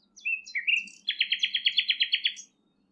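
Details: Common Nightingale song at Thurrock Thameside Nature Park, filmed with a long telephoto lens: short rising whistled slurs followed by a loud rapid chattering trill of about fourteen evenly spaced notes.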